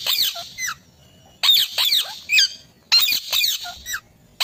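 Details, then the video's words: Green parrot producing loud, raspy squeaking screeches in clusters of several notes, separated by short quiet gaps. "Mithu Ki Awaj"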